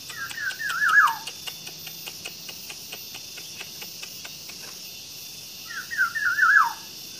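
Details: Nine-day-old green pigeon nestlings being hand-fed give two bursts of thin, wavering, squeaky calls, each about a second long, over soft repeated clicks and steady background hiss.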